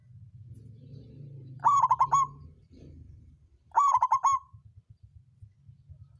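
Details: Zebra dove, a local songgo ratu bird, giving its lure song used to stir rivals and prompt reluctant birds to sing. Two bursts of rapid, stuttering coos come about two seconds apart, with a soft low rumble between.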